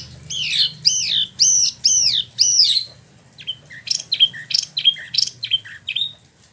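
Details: Freshly moulted captive Spot-throated Babbler in Bandung, West Java, imported from China and Vietnam: five loud arching downslurred whistles followed by a rapid string of short chipping notes.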